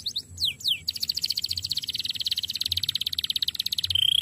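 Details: Canary training song: two or three falling swept notes, then a long rapid pulsed trill ending in a clear high whistle.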